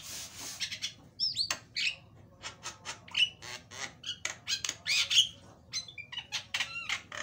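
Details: Loud Javan myna lure song with varied phrasing: grating squawks alternate with slurred whistles and clicks in uneven bursts roughly every quarter second, over a steady low hum.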